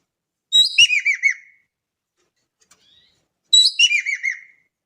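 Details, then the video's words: Javan kingfisher from Indonesia calling energetically: two strong rattling phrases of about five curved, descending notes each, separated by roughly three seconds of near silence. "EKEK KELING GACOR DAHSYAT"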